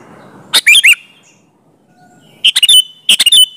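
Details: Sooty-headed bulbul in full song, played as a lure so that other bulbuls reply. Two or three brisk, chirpy phrases of clipped notes with upward-curling whistles, with a short silence between them.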